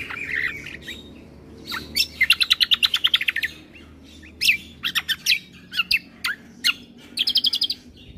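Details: Bird combo sound meant to make listening birds noisy: a warble, then a quick string of repeated high chirps, scattered sharp notes, and a final short trill.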